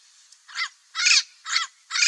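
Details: Parrot giving four loud, harsh squawks roughly half a second apart. Each one is raspy and broad, with a rough, buzzy tone and no other clear sounds.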